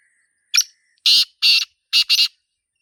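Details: Sindhi teetar, the black francolin, calling in its natural environment: grating phrase of a short high note followed by two long rasping notes and a closing quick pair, with a faint thin whistle before it starts.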